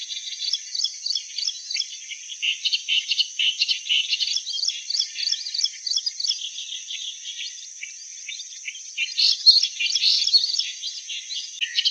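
Clamorous reed warbler delivering a long, fast run of harsh, chattering, grating phrases with a few louder bursts, over a steady high insect-like drone.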